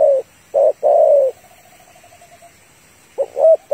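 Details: Spotted dove female calling to a male, used as a lure for trapping: low, hollow coos in separate bursts with a brief soft rolling tail, then a closing double coo.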